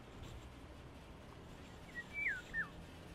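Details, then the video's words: An Indian golden oriole gives a brief run of fluty, liquid whistled notes that slide downward. "So for example, the Indian golden oriole, it has a very fluty, liquidy call. Let's listen to that."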